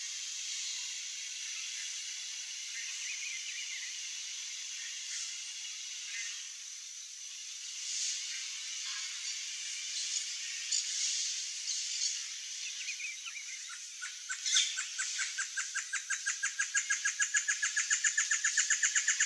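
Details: Great Antshrike (Taraba major) singing to establish territory or attract a mate: a run of hollow notes that speed up into a rapid, bouncing rattle.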